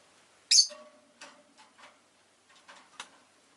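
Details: One loud, harsh, high chirp from a rosy-faced lovebird, then faint clicks and softer squeaks.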